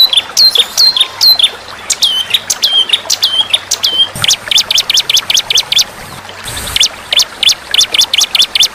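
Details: Murai batu (white-rumped shama) contest-training recording alongside fighter birds: loud hooked downslurred whistles repeated roughly twice a second, leading into quick strings of sharp high chips and a brief buzzy burst.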